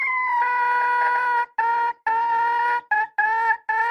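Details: Red junglefowl hen calling in long, strident, buzzy notes, each held for a second or more with rich overtones, then shorter clipped notes toward the end. No background sounds.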